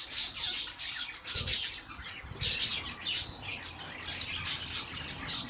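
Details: Bird song heard as a steady run of high, sharp chirps and squeaky notes, closely spaced and continuing throughout over a low background hiss.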